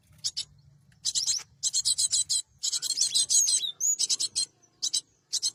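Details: Cinereous tit played as bait for trapping birds; a long rapid chain of harsh buzzing notes dominates, ending with a short whistled upslur and a few scattered bursts.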